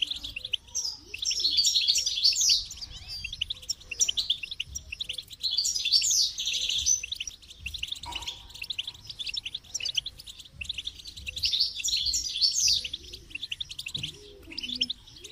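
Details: Goldfinch singing in three long bursts of fast, liquid twittering and trills, separated by quieter pauses with scattered chirps.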